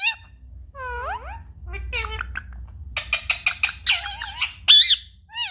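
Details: Pet Indian ringneck parakeet indoors, curious and wanting to play with an iPad while being tickled. A run of squeaky rising whistles is followed by dense, raspy chattering bursts and a final bright squeal, with a low room hum underneath.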